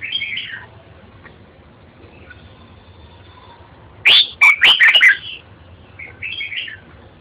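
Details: Red-whiskered bulbul with a loud, sharp run of clipped whistled notes in the middle, framed by softer warbled phrases before and after, over a low steady hum.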